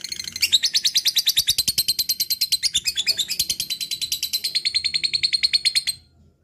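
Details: Lovebird singing its ngekek, a long chattering song: a continuous stream of high, buzzy, evenly spaced notes, roughly three per second, carried for almost six seconds before ending cleanly into quiet.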